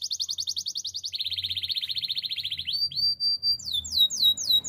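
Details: Canary song used for training: a fast buzzy trill of rapid repeated notes, dropping to a lower, denser rolling trill, then brief high tones and a few quick, high, curving whistled notes.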